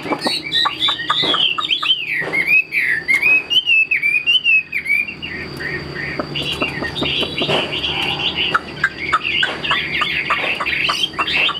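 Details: Caged Chinese hwamei singing a rich run of loud, sliding whistled notes that rise and fall, mixed with sharp clicks and brief harsh bursts, over a faint steady high-pitched whine in the background.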